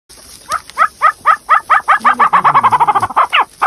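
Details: A female chukar partridge gives a loud run of clucking chuck notes that speed up into a rapid chatter, about eighteen notes in under four seconds.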